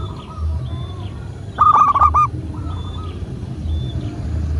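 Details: Local zebra dove, recorded as a master track to prompt captive doves to call: one short burst of rolling, stuttering coos midway, with faint further coo notes and steady low background rumble.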